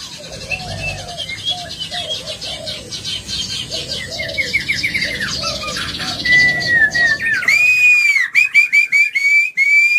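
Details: White-rumped shama singing agitatedly as a lure to provoke other birds: muddled twittering chatter at first, then a clear, loud series of bright rising whistles with sharp clicking notes.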